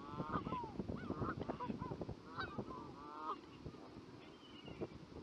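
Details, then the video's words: Canada geese honking repeatedly, several nasal, two-part honks overlapping in the first three seconds, then a few more scattered ones, over a steady low roar of background noise. "Call of Canada Goose"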